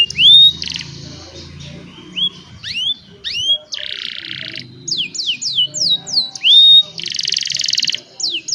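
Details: Young caged canaries in full song for training other canaries; loud rising whistles, a run of descending slurred notes and two harsh buzzy rolls, recorded on a cellphone.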